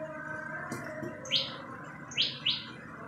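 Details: Common tailorbird calling: three sharp, bright chirps, each a quick downward-sweeping note, the last two close together, over a steady low background hum with faint other sounds.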